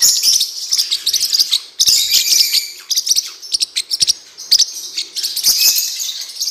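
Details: Blue-winged parrotlet training song: busy, high-pitched chattering that keeps breaking into short choppy phrases and clicks, with almost no pauses throughout.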